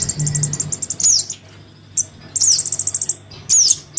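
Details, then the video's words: Young crimson sunbird calling to its parent, used as a lure: a high ticking series, a sharp downward-sweeping squeak, then another rapid run of about eight tiny ticks and a final slurred note, with a low background hum. "Suara pikat [anakan sogon memanggil induknya]"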